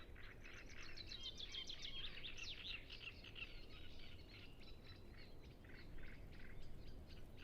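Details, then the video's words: Many Great reed warblers in song at Ema-Joe Suursoo Natural Reserve, Lake Peipus shore, taped with Zoom F6 and Sennheiser MKH 8040: a burst of crowded, scratchy, chattering phrases early on, then sparser harsh notes over a low-pitched background drone. "Great Reed Warbler Sound Library"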